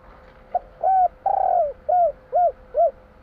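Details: Spotted dove, Java, in its 'kuk 3' style: soft click-like start, a short coo, a long vibrating coo sliding down, and three crisp arched notes about half a second apart, with a faint hum behind.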